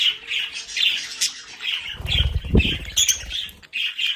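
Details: Several budgerigars at home in their play area chattering with grating, buzzy chirps and squawks, interrupted by a loud low thud and rustle.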